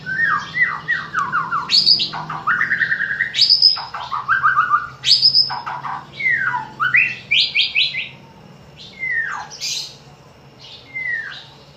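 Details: White-rumped shama song played as a lure to set other shamas singing, for morning and evening: rich varied phrases of rapid repeated notes, falling slurred whistles and high sweeping notes, with a faint low hum beneath.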